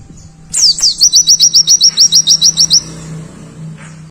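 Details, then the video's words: Oriental white-eye, dakun type, firing off its song with elaborate fill: a thin, high falling sweep, then around thirteen crisp, rapidly repeated chirps over two seconds before fading out, with a low steady hum in the background. "Pleci Dakun Nembak Isian Mewah"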